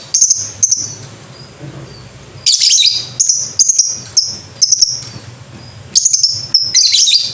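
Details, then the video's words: Lovebird calling continuously in shrill, raspy chirps and harsher screechy bursts, grouped in quick series with only brief pauses, over a low steady background hum. "Pasti Banyak Lovebird Ikut Bunyi"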